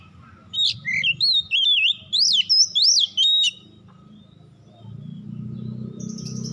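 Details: At dusk, an Oriental magpie-robin gives a sweet whistled phrase of rising and falling notes, some sharply looping, lasting about three seconds, followed by low rumbling background noise and faint high chirps.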